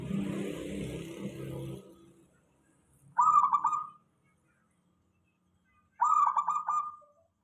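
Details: Zebra dove, local type, song meant to lure other doves into responding: two short, rapidly trilled coo phrases about three seconds apart, after fading low background noise.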